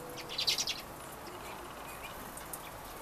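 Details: Winter-visiting redpoll: a short, rapid run of four or five dry, buzzy chattering notes early on, then only steady hiss with a few soft, distant chips.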